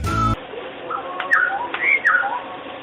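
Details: Black-hooded Oriole, a resident of open woodland, cultivation and tree canopies across Sri Lanka, gives a series of liquid, mellow whistles that slide up and down, after a brief burst of music at the start.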